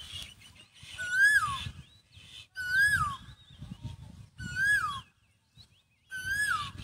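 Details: Bird near the village rice fields of Isan, Thailand: a clear, descending whistled note rich in overtones, given four times at roughly 1.7-second intervals, with low rumbling between calls.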